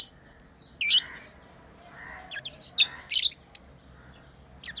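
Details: Lovebirds at play as pets: a loud rasping chirp, then a flurry of quick shrill notes and fainter softer twitters.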